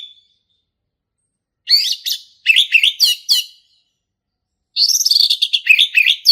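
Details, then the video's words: Male orange-headed thrush singing in a lively, full-voiced style called ngeplong: bursts of rich whistled phrases with quick twisting notes and mimicry-like chatter, two phrase groups separated by about two seconds of silence. "SUARA ASLI HUTAN ANIS MERAH JANTAN GACOR NGEPLONG"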